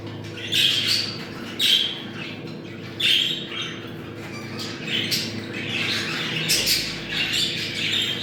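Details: Budgerigars chattering in a mating call meant to bring birds into breeding condition: loud squawks near 1, 1.7 and 3 seconds over warbling, bubbly chatter, with a steady low electrical hum beneath.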